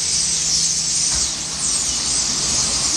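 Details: Starling flocks in flight over Rennes in Brittany, France, giving a massed, unbroken high-pitched squealing hiss that swells and dips slightly, over a low background rumble.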